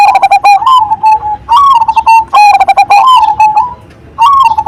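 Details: Strong-voiced Cemani Majapahit zebra dove pouring out a string of sharp clipped notes and bubbling, gently rising coos in quick succession, recorded close with little background.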